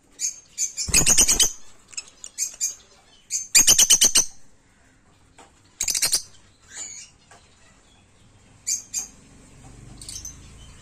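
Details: Peach-faced lovebirds, kept as African lovebirds in green and lutino colour forms, giving shrill, rapid chattering bursts of high squeaks, two long bursts early and a shorter one near six seconds, then scattered chirps.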